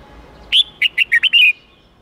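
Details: Red-whiskered bulbul singing one crisp 8-9-10-style phrase for young birds to copy the wild-forest voice: a rising whistled opener, then five short chirping notes, the last held and slurred.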